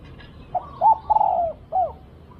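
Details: Single cooing phrase from a spotted dove during decoy luring: a soft short note, a hooked coo, a long falling drawn-out coo, then a brief closing note, over quiet background hiss.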